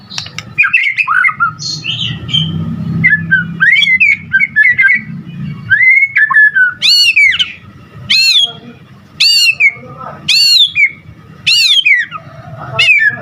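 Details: Gacor white-rumped shama song used to provoke shamas: varied warbles early, then a series of loud sharply descending whistles repeated about once a second, with a low hum underneath.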